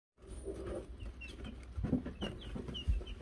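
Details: Wyandotte chicks (Silver Laced, Gold Laced and Gold Laced Blue) on a chicken cam in May 2022, given a bell: faint, short high peeps scattered over heavy low rumbling and thumping.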